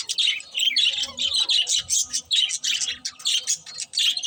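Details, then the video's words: Pet budgies chirp in a rhythmic stream of loud, scratchy warbled notes, each burst lasting a fraction of a second, repeating steadily. "Cute Budgies Chirping Sounds"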